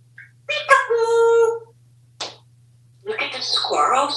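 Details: Household African Grey Parrot in Texas producing a clear sustained tonal note rich in harmonics, a short sharp burst, then a dense noisy chattering phrase; low hum in the background.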